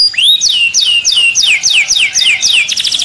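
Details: Canary singing to stimulate other birds for mating: a fast series of bright, downward-sweeping whistled notes, about four per second, steady and loud, ending in a quick buzzy trill.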